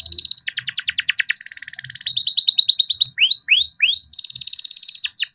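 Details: Captive-bred young canary in full rolling song, kept to stimulate silent canaries to sing: dense bursts of fast trills change pitch every second or so, a sustained whistled note, then three rising slurred whistles before a rapid buzzy roll.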